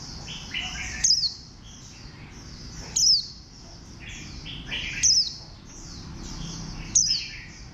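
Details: Warbling white-eye giving loud, high, sharply descending whistled notes about every two seconds, with softer twittering and chirps from other small birds continuing underneath.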